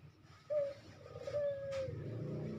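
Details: Ringneck dove (puter) coo used as a training recording for captive birds: one long whistled tone, briefly broken then resumed, steady and slightly falling, over a low hum.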